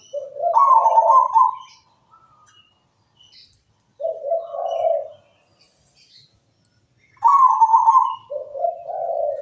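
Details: Local zebra dove in lively song, offered as a master recording to prompt other doves: phrases blending a higher rolling coo with lower purring trills, about three bursts separated by quiet gaps.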